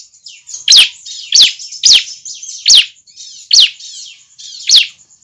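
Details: Juvenile bar-winged prinia calling, a sound meant to bring other prinias close: six high, falling chips spaced unevenly, with soft chattering between notes and a thin steady background tone.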